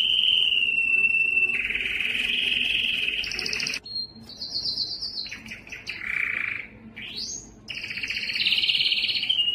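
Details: Yellow canary singing a long rolling trill, then a series of changing phrases: high buzzy rolls, a lower warble, a rising sweep and a final bright trill.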